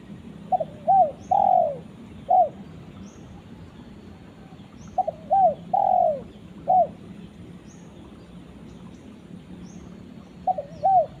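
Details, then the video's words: Spotted dove calling a companion, repeating phrases of two short coos, a long falling coo and a single trailing coo, about every four to five seconds; faint high chirps from other birds. "suara burung tekukur memanggil temannya"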